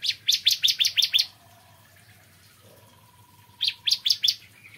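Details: Bar-winged prinia in morning song: a fast string of high chips, a quiet gap with a faint thin whistle, then a shorter chipping burst, low hum underneath.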